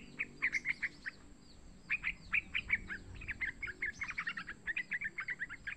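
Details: Young yellow-vented bulbul calls used to draw other bulbuls into calling: repeated bursts of quick chirps, several short chattering runs separated by brief gaps, low rumbling background.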